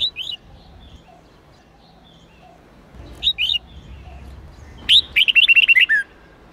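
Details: Red-whiskered bulbul of the Sông Kôn line, 8-9-10 note training song: scattered short paired chirps over a low background hum, ending in a loud fast phrase of about eight bright whistled notes.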